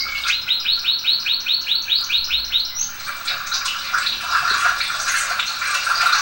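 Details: Domestic canary singing to teach other canaries: a clear run of about ten evenly spaced rising chirps, then a busier stretch of mixed trills and short whistled notes.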